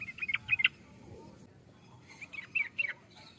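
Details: Yellow-vented bulbul giving two short bubbly phrases of clipped, slurred chirps about two seconds apart, with quiet background between them.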